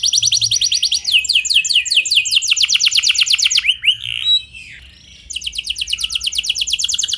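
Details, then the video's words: Rolling, clear canary song meant to get other canaries singing: a fast trill of sweeping notes, a few lower warbled notes, a brief pause, then another rapid trill. "Pancingan Efektif Banyak Burung Kenari Cepat Ikut Gacor Dengan Suara Kenari Gacor Ngeroll Jernih Ini"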